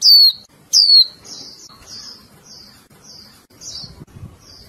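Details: Two bright, quickly falling chirps open, then a string of quieter short buzzy notes, as a caged female Japanese white-eye calls continuously to stir the male.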